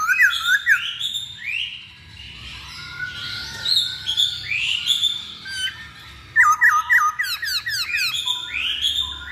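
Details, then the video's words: Lure recording of masked laughingthrush song: varied rising whistles and warbling phrases, then a fast series of short repeated hooked notes and more rising calls. "Pancingan Poksay Hongkong"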